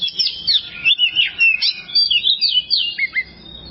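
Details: Oriental magpie-robin song used as masteran training material. A continuous stream of loud, varied whistles swoops up and down in quick succession, ending in a pair of dropping notes.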